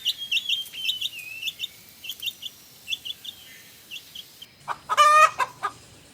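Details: Chicks peeping: thin, high, short peeps repeated rapidly for about four seconds, then a louder, harsher harmonic call near the end.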